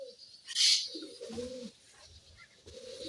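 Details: Pet rose-ringed parakeet (tia pakhi), a talking bird offered for sale, gives one loud shrill screech, then lower voiced speech-like mimicry phrases, while its owner coaxes it with soft repeated speech.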